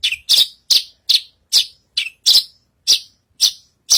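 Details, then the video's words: Australasian bushlark singing vigorously on a stage: a rapid series of short, bright chirps, each dropping slightly in pitch, repeated about every 0.4 seconds in an even rhythm, with no other clear sounds. "Burung branjagan gacor naik panggung"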